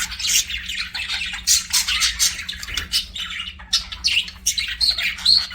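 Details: Budgerigars kept as pets in an aviary, giving busy chirping chatter: bursts of harsh squawks and quick tweets mixed with a few clear whistled notes, over a faint low hum.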